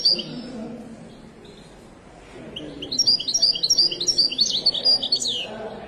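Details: Moroccan widani goldfinch singing in the Souk Lqriaa market, Casablanca. After a single high note and a quiet gap, a lively phrase of fast, metallic, bubbling twitters lasts about two and a half seconds, with background crowd noise.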